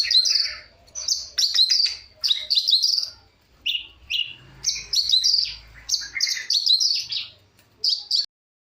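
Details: Long-tailed shrike singing vigorously with full variation: repeated bursts of rapid, high, chattering and trilled notes, each lasting under a second, separated by short pauses, with a faint low rumble in places.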